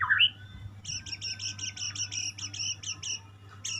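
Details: White-rumped shama singing: a brief loud whistled note, then a fast, high, even series of about fourteen sharp two-part chips lasting over two seconds, ending in a short high flourish, with a low background hum.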